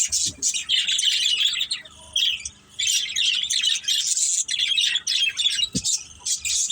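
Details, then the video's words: Budgerigar family playing together, kept as pets; rapid scratchy chirps and chattering warbles fill the recording, with brief quieter gaps and a soft low thump partway through. "Beautiful Budgies Chirping Sounds"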